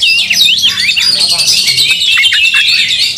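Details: Angry Oriental magpie-robins fighting and spreading their tails; a continuous high tangle of chattering notes, sweeping whistles and scratchy squawks with no pause.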